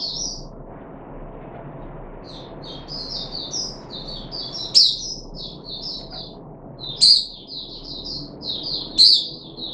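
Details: Puff-backed bulbul recorded 14 July 2021 during its third day of deworming: short clusters of high, thin whistled notes separated by brief gaps, with three sharp loud clicks heard in the background.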